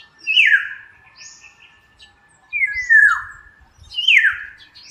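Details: Black-naped oriole giving three rich, fluty whistled phrases, each sliding downward, spaced about every one and a half seconds in a quiet setting.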